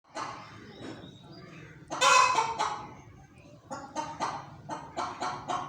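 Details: Hen making repeated noises, bursts of harsh raspy clucking and squawking notes in quick clusters, louder around the middle, over a low background hum.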